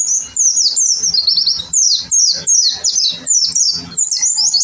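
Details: Pleci, the oriental white-eye, singing a fast, very high-pitched jumble of sharp descending chirps and twitters, delivered in quick bursts with brief gaps and faint background rattles.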